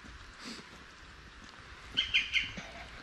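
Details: A European green woodpecker in Germany in mid-February gives its keck call, used as a flight and location call and a shortened song: three quick, harsh, mid-pitched notes in close succession over a faint, steady hiss.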